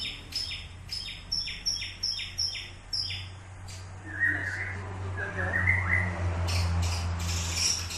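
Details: White-rumped shama training at Samadua: quick repeated high chips at first, then a jumbled, softer twittering passage over a low steady hum.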